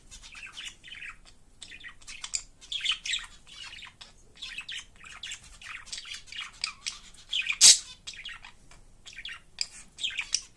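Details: A pet budgerigar that always sings wherever it is warbles a continuous chattering song of chirps, squeaks and scratchy notes.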